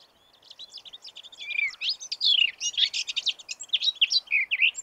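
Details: A Eurasian blackcap delivers a continuous rich warble, starting soft and scratchy then swelling into loud, clear fluted whistles and rapid stereotyped syllables, over faint background hiss.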